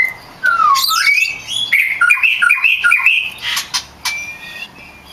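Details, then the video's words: Champion, actively singing oriental magpie-robin, recorded for training kept magpie-robins: a long falling whistle, then quick varied whistled phrases and twittering notes, rising and dipping, with brief high bursts near the end. "Suara burung kacer gacor juara untuk melatih mental kacer Anda"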